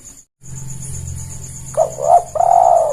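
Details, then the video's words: Spotted dove played as a lure call for trapping birds: a short hoarse coo phrase near the end, two quick notes then a longer drawn-out note, over a steady low hum and a thin high whine. "Pancingan terbaik suara tekukur paling ampuh"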